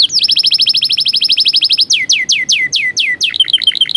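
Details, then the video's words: Canary tutoring song for young birds: a very fast, even trill of sharp high notes for nearly two seconds, then slower down-slurred whistles and a short warbling end. "MASTERAN PALING EFEKTIF BURUNG KENARI | COCOK UNTUK MASTERAN KENARI PAUD"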